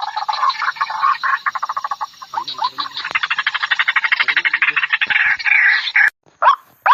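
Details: Lure sound of a white-breasted waterhen, Amaurornis phoenicurus: a dense, gurgling rattle of rapid croaks, speeding up into a continuous buzzy chatter, then cut off abruptly near the end with a short break and resumption.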